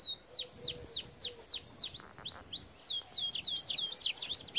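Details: Canary song played to train canaries: slow, clear downward-swooping whistles spaced regularly, building into quicker overlapping looping notes near the end.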